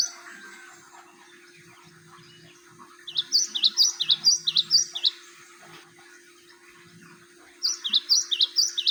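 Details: Java sparrow song used as a training lure: two bursts of rapid, high, bell-like chirps in alternating paired notes, the first about two seconds long and the second shorter, with quiet gaps and a steady low hum throughout.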